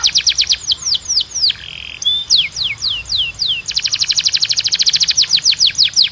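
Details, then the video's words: Canary training song for stimulating singing: rapid high trills, a run of slurred sweeping whistles, a short buzzy note, then a long fast rolling tour of repeated notes. "A Canção de Treino Mais Poderosa da Canary"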